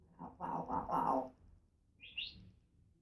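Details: African grey parrot, a female pet indoors, mutters a stretch of speech-like babble, then gives a short high rising squeak.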